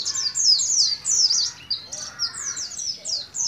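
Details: Young caged Oriental white-eye from Moga, Pemalang, Central Java, just beginning to learn the rolling ngalas ngeroll song style; rapid high, thin descending chirps in quick bursts with short gaps.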